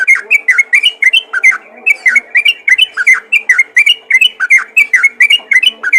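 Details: Rapid, chattering trucukan call used to attract other yellow-vented bulbuls: an unbroken run of short, warbled chirps, each note bending down then up, repeated briskly for the whole stretch against a faint background hum.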